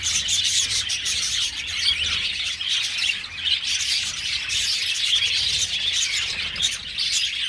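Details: Budgerigars in a colony aviary twitter nonstop, many voices blending into a bright, buzzy chorus of short chirps that swells and dips slightly.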